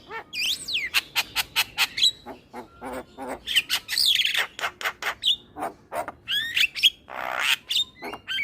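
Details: Male Javan myna singing, used to lure all kinds of starlings: a dense run of sharp clicks and harsh rasping notes mixed with rising and falling whistles, with a buzzy burst near the end.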